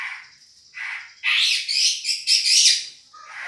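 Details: Madura-type long-tailed shrike singing as a tutoring model for other birds: harsh, buzzy bursts alternating with brief pauses, then a loud rasping, chattering stretch.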